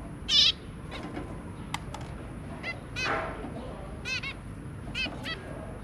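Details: Two adult zebra finches and their three babies, 23 January 2022: a loud nasal call opens, then a scattering of shorter stacked calls, some in quick doublets, over low background noise.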